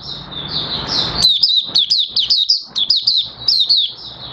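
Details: Oriental white-eye beginning to sing again on 30 August 2022, its new white feathers almost fully pigmented; rapid high thin twittering notes, each sliding down, strung in quick bursts after a short noisy lead-in.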